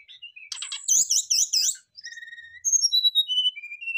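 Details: Brown-chested jungle flycatchers answering each other in a lure recording: a rapid, ringing series of looping, wavering notes, followed by pure high whistles stepping down in pitch.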